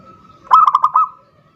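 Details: Zebra dove calling to lure a rival, a single quick burst of five soft, rolling cooing notes at an even pitch, the last slightly drawn out, against a faint low hum.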